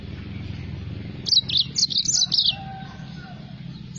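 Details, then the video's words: A yellow-fronted canary (green singing finch, Crithagra mozambica) gives a quick burst of bright, high chirping notes lasting about a second, over a low, steady hum. "mozambik gacor"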